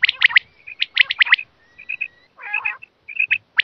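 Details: Quail voice used to lure birds for hunting: runs of sharp, high, clipped notes in twos and threes, a steady thin whistle, a short burst of buzzy, rattling sounds, then more clipped notes.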